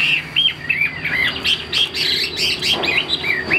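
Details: Caged Chinese hwamei, said to be tame, perching high and flicking its wings, pours out a rapid, nearly unbroken string of clear whistled notes with quick up-and-down slides and short trills. No other sounds stand out.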